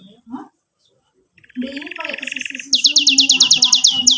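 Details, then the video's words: Canary in gacor song, cuit-cuit and rolling ngerol style, serving as a model for juvenile canaries: after a quiet start, a buzzy roll then a burst of rapid high falling notes above a steady low hum. "KENARI GACOR PANJANG CUIT CUIT NGEROL NEMBAK"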